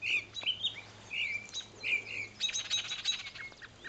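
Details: Likely Baltimore oriole parents, upset by a person near their fledgling that fell from the nest and is on the ground, give sharp, slurred chirps, then a harsh, rapid chattering rattle; a faint low hum underneath.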